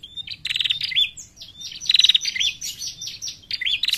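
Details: Lure call of a female bar-winged prinia: shrill, rapidly pulsed buzzy bursts mixed with thin whistles and a bending, twanging note, repeated about every second.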